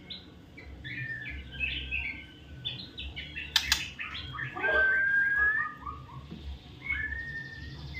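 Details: Magpie-robin song of varied chirpy, twittering phrases, then a sustained thin whistle midway and a brief sharp click; steady low rumble in the background.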